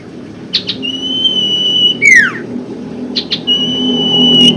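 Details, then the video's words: Common Iora song as a lure for reluctant singers: two brief clicks, then a long, even whistle ending in a sweeping downward slur, repeated once, over a low background rumble. "pancingan sirtu macet bunyi & malas bunyi"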